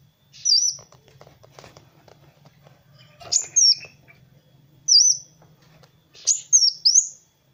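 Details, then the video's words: Kolibri wulung sunbird singing energetically, a master recording for training other birds; high thin whistled slurs come in short bursts about every one to two seconds, with a faint low hum underneath. "SUARA BURUNG MASTERAN Kowul (Kolibri Wulung) GACOR"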